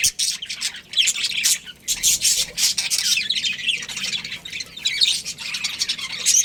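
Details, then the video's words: Budgerigars from a breeding pair keep up an unbroken, busy chatter of scratchy warbles, clicks and high squeaky chirps at fairly even loudness throughout. "Cute Budgies Chirping Sounds"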